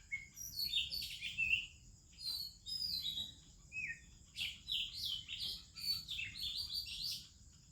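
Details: Oriental magpie-robin singing in the morning alongside other birds in India: varied clear whistled phrases, some sliding down and some rising, in short bursts with brief pauses, over a steady high insect-like hiss.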